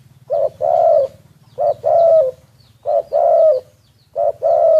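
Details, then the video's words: Spotted dove kept as a decoy bird, recorded covertly: four repeated cooing phrases, each a short low note followed by a longer mellow coo, about one phrase every second and a half, over a low electrical hum. "แอบอัดเสียงนกเขาใหญ่ นกต่อ"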